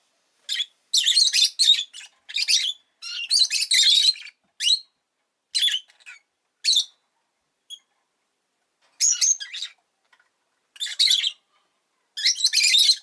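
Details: Pet rosy-faced lovebird chirping indoors: bursts of harsh, buzzy, high chirps, some quick runs and some single notes, separated by short silences over thirteen seconds.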